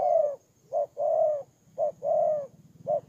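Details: Ground decoy spotted dove in Tumorong, Kon Tum, Vietnam, 23 September 2018, cooing steadily. Short clipped notes alternate with longer drawn-out coos, roughly one per second, with a faint low hum beneath.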